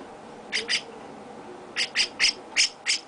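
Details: Young chestnut-cheeked starling with its owner, being shown affection: harsh, raspy squawks, first a quick pair, then a run of five evenly spaced bursts after a short pause, in a quiet room.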